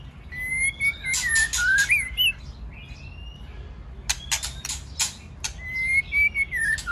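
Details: Male white-rumped shama singing alongside a female, used to stimulate singing: clear whistled phrases around one pitch that slur downward, broken by bursts of sharp, crackling clicks and chacks, with whistles returning at the end.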